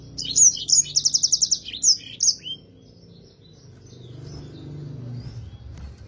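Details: Energetic yellow-fronted canary song, clear-voiced, meant as a tutor recording for other songbirds: sharp high whistles open a quick run of repeated chips, then a couple of downslurred notes before fading into low background noise.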